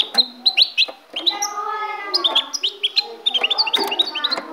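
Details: Kept goldfinch said to come from Ecuador, singing a quick series of sharp rising chirps and short whistled notes, high and bright, repeated in bursts with brief pauses, over a steady low background hum.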